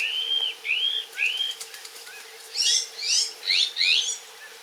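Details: Iberian magpie calling while bathing in Portugal: three clear, rising whistled notes, then four harsher, buzzy upslurred calls in quick succession, with faint wing flutters between them.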